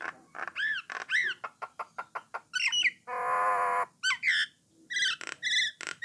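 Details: Brown starling known as Jalak Nias singing to set other starlings singing; arched whistles and sharp clicks mixed with a long harsh grating buzz in the middle, then more squeaky whistled phrases.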